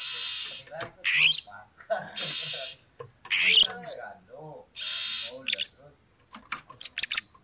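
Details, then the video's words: Oriental magpie-robin (kacer) bait song to provoke a rival's fighting mood. Repeated loud harsh hissing rasps alternate with softer low warbled notes and bright whistles, ending in a run of quick sharp chips. "pancingan kacer EMOSI NAIK PELAN - PELAN"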